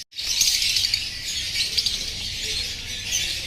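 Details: Rosy-faced lovebirds, orange-faced green pied and red-headed green opaline birds, chatter in a dense, continuous stream of high, shrill chirps and squeaks, several calling over one another.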